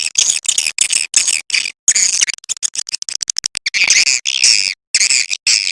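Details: Edible-nest swiftlet calling sound played to attract swiftlets: harsh, buzzy twitter bursts alternating with quick trains of short, dry clicks.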